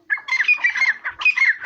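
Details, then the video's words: Grey francolin in its natural habitat in Pakistan, giving loud, harsh, grating call notes in quick repeated bursts over about a second and a half, with a short break midway before the calling resumes. "Voice of Teetar Bird - Gray francolin Teetar Ki Awaz Dakhni Teetar"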